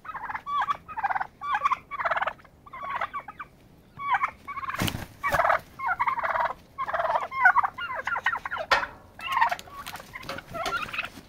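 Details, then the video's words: Turkeys fighting to exert dominance; dense, repeated gobbling bursts almost every second, rattling and warbled, with a sharp thud or knock partway through. "Turkeys fighting"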